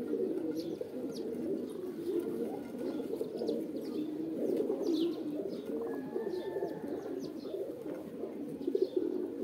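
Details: Many pigeons cooing together in a dense, continuous low chorus of overlapping throaty rolling coos, with faint high chirps from other birds above.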